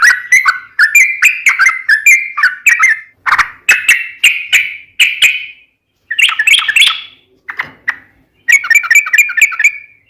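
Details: Sooty-headed bulbul singing a gacor, long ropel song: rapid chains of bright warbled whistles with dips and rises, broken by a few brief pauses and ending in a fast bubbling burst.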